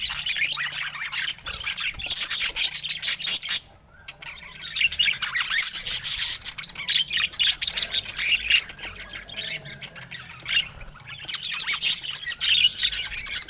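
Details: Many colorful pet budgies in steady chatter, with rasping, buzzy warbles and quick chirps running almost without pause and a short lull near four seconds.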